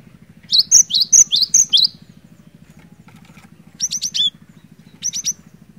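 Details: Cinereous tit song, used to coax a quiet bird into singing: four bright whistled two-note phrases, high then falling, then a pause and two shorter bursts of sharp notes, with a constant low pulsing engine hum.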